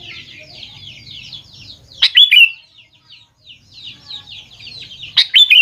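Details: Sooty-headed bulbul singing to prompt young birds to respond: two loud, ringing, bubbly phrases three seconds apart, with a dense stream of quick chirps from other birds in between.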